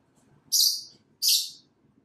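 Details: Two pet lovebirds, a Blackmask and a Violet Fischer's, free indoors during daily out-of-cage playtime on a cat tree by the window; two loud, harsh, high chirps in quick succession over quiet room noise.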